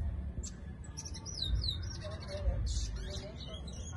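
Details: Brown towa towa (seed finch) in Guyana singing a quick run of high, sliding whistled notes and buzzy trills, followed by softer lower warbles, over a steady low rumble of background noise.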